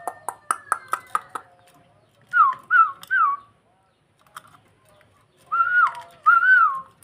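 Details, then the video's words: Nodding starling singing to lure another bird: a quick burst of clicks, then clear down-slurred whistled notes in groups of three and two, separated by pauses. "Burung jalak memancing mangguk mangguk"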